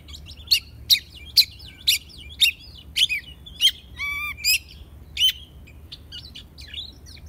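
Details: Oriental magpie-robin, a young bird being tamed, repeating sharp whistled notes about every half second, then a buzzy nasal note and a softer, varied twittering finish.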